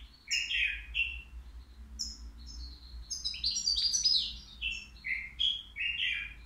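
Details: At the Al Qriaa bird market, a caged three-year-old European goldfinch sings without mistakes. The song is a long, varied twitter of bright chirps and rolling trills, with a dense, buzzy flourish in the middle.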